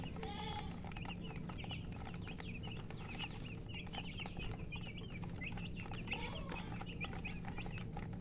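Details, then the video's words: Baby chicks chirping: many thin, high, quick cheeping notes in a continuous chattering stream, over steady low background noise. "Baby "Chicks Chirping" Sound"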